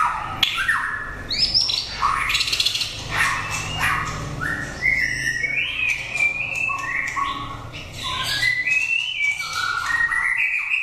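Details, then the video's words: Competition white-rumped shama in full song: stepped whistles climbing and dropping between phrases, interspersed with scratchy bursts, continuous over steady low rumbling background noise. "Kích chòe lửa hót cực hay"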